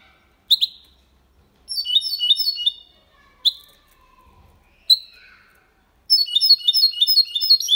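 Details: Mixto, a goldfinch and canary hybrid, gives clean Málaga-copy song meant to stimulate hens and tutor young birds. Sharp single chirps punctuate high twittering phrases, with a long run of rapid twitter at the end.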